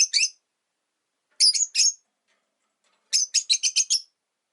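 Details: Caged rosy-faced lovebirds, a household of five by a window, give a pair of high chirps, a triplet, then a quick run of six clipped notes.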